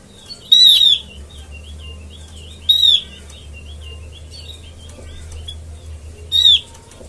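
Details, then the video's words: Oriental white-eye trapping lure: three loud, high, downslurred calls spaced about two seconds apart, with softer twittering notes running between them and a low hum beneath. "suara pikat burung opior"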